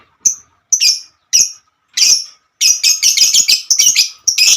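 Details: Female lovebird calling its companions: several separate harsh squawky chirps at first, then a fast continuous chatter of rough high notes over the last two seconds, with a faint background hum.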